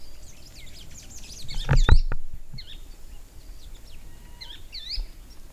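Bronze sunbird giving quick, thin, high chips and twittering notes in scattered bursts, over a low rumble of background noise and a few knocks.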